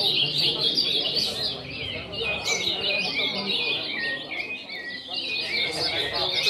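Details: Group of caged ultramarine grosbeaks singing at once: bright, tumbling high notes and falling slurs pile over each other continuously, while a man speaks Portuguese in the background.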